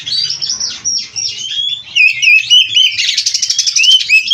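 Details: Captive-bred kacer, or oriental magpie-robin, in full 'gacor' song with 'isian' fills. Scratchy warbling and sliding whistles build into a loud rapid buzzy rattle ending in a dropping whistle.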